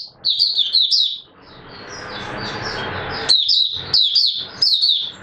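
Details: Oriental white-eye giving open singing, recorded 24 March 2022: rapid, high, twittering phrases of sliding notes, a pause filled with soft broadband hiss, then more quick chirpy bursts.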